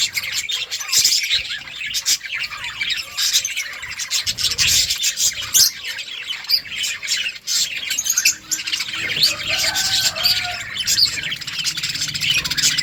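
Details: Budgerigar flock chattering nonstop in a colony, dense squawky chirps and clicks, with a faint rubbing noise and brief low tones later on.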